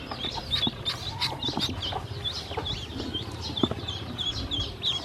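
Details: Flock of hungry domestic ducklings at feed and drinking water, many high wavering peeps repeated rapidly over one another, with clicks from pecking and a low background hum.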